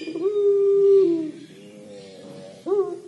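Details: Puter pelung collared dove, 'crying' call: a smooth, held low note lasting about a second, dropping off, murmured lower tones, then a new note rising abruptly.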